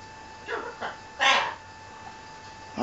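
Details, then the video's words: Macaw kept as a pet, answering its owner in an argument: two brief gravelly syllables followed by a louder, longer harsh squawk, with the person's speech and a faint constant hum behind. "Arguing parrot"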